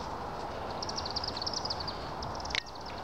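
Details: Chimney swifts at sunset on 28 September 2018 at a village hall where they go in to roost, giving rapid, high twittering chips in quick chattering runs over a steady low rumble.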